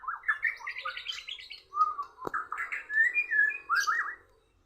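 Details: A murai songbird competing in song against a Borneo bird: rapid varied whistled and chirping phrases, slurred notes around mid pitch, a sharp click near the middle, then bright rising whistles.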